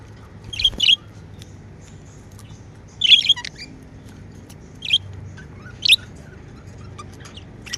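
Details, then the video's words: Pet budgerigars, described as happy, give short, sharp, scratchy chirps in four separate bursts, some doubled, with long quiet gaps between them and a faint low hum in the background. "Happy Budgie Sounds | Chirping sounds"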